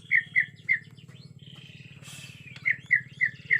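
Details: White-rumped shama from Borneo, agitated, natural forest recording: clear short whistled notes repeated about three times per second in two bursts, separated by a soft buzzy note and a hissing sound, with a steady low hum underneath.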